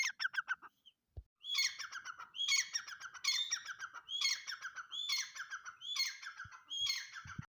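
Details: Fairly quiet partridge (teetar) call phrases, each a rising whistle followed by a cascade of harsh falling notes, repeated about every seventh of a minute in steady bursts, with a few soft knocks.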